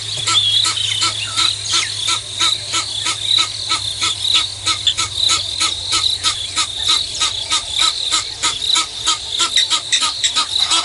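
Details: Egyptian geese in a double battle at Nkorho, 5:30 AM, 24 September 2022; a fast, rhythmic string of harsh honks, roughly three per second, runs unbroken for over ten seconds above a steady high insect drone.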